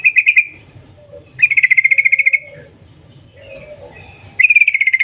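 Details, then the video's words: Morning call of a yellow-vented bulbul, used to get other bulbuls singing: quick runs of sharp, evenly spaced 'cuk' notes in three bursts, with softer low chirps and background murmur between them. "Panggilan trucukan gacor Cuk cuk Ropel pagi hari ini SUARA PINTAR menjadikan trucuk lain jadi gacor"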